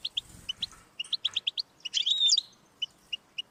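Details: European goldfinch singing, a recording meant to stimulate a pet goldfinch to sing: quick high twittering notes, paired tinkling chips broken by a brief buzzy trill, with soft low thumps early on.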